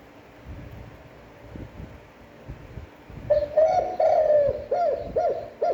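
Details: Spotted dove giving its standard cooing for stimulating decoy birds: a rising then sustained low coo, then two short bowed coos, and a new phrase begins at the close over quiet room hum.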